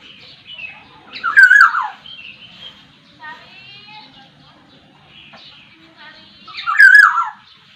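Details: Black-naped oriole of the Sumbawa type, a songbird with varied song; two loud phrases about five seconds apart, each a rich fluty downslurred whistle mixed with harsh notes, with faint softer twittering between.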